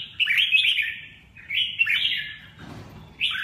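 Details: Red-whiskered bulbul giving rich warbling phrases separated by short pauses, each a run of slurred whistles dipping in pitch, with a low rustling noise in between.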